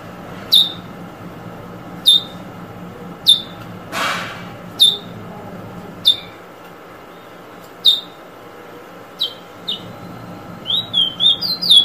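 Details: Repeated short, downslurred whistled notes from a Eurasian Bullfinch, one roughly every one to two seconds, with a brief rushing noise burst partway through, ending in a quicker run of several notes close together.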